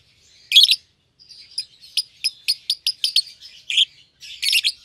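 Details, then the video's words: Young lovebirds, albino and euwing green opaline, caged as a pair: a loud harsh chirp, then a rapid series of short thin ticking tweets, ending in a louder rasping burst. "Lovebird Chirping Sounds"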